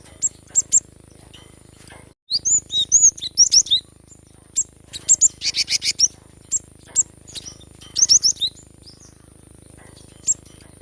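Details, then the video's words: Java sparrow recording meant to encourage a reluctant caged bird to sing: a lively run of high chirps, clicks and tinkling trilled notes, fairly continuous after a brief dropout near the start. "Gelatik batu gacor ‼️mengatasi burung malas bunyi"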